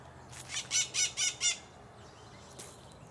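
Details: Macaws filmed in the countryside on a small farm: five harsh, raspy squawks in quick succession over about one second, then a fainter single squawk, against quiet rural background.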